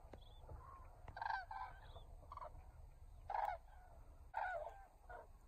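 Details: Common cranes in flight at dusk, returning to their roost at Los Canchales reservoir, Spain: loud rolling trumpeting bursts from several birds, overlapping, coming every second or so with quieter calls between.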